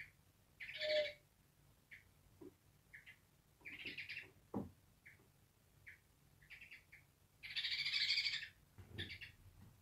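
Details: An angry African grey parrot barking: harsh, raspy bursts in irregular runs, with short squeaks and clicks between them and a louder burst near the end.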